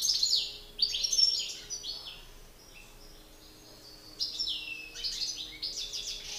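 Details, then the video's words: Male European goldfinch in a singing battle: two bursts of high twittering song with buzzy trills, separated by a quiet gap of about three seconds. "Battle de chardonnerets"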